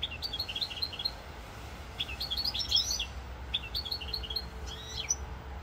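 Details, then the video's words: European goldfinch singing in Corsica on 7 November 2022: rapid twittering phrases of bright, tinkling high notes in three bursts, with a faint steady low rumble underneath. "chant chardonneret rosse corse"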